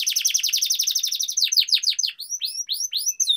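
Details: Canary in rolling training song meant to make lazy canaries sing: a very rapid trill of down-slurred notes giving way to slower, swooping looped whistles.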